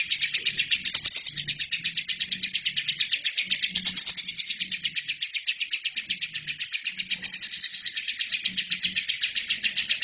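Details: A lovebird in full, unbroken song, used to tutor other birds: a rapid stream of scratchy high pulses. Three brighter, louder bursts stand out near the start, middle and end over a faint low hum.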